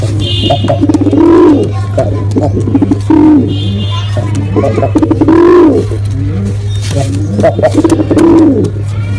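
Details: Male pigeon performing, giving deep arched coos near every two to three seconds, each swelling and falling, over a steady low mechanical hum with faint chirps in between.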